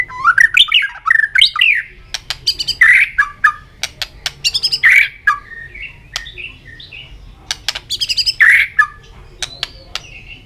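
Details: White-rumped shama in contest singing while flicking its tail continuously: loud varied whistled phrases, sliding notes mixed with sharp clicks and bursts, many voices packed into rapid sequences, steady low hum beneath.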